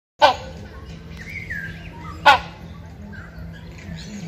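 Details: Male hornbill calling to a female in the mating season: three loud, harsh honking notes about two seconds apart, each with a bright burst of overtones, over a faint background hum.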